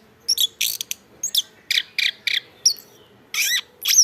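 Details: Chestnut-backed thrush giving spaced bursts of high, scratchy chirps and twitters with a few clear whistled notes, separated by brief silences.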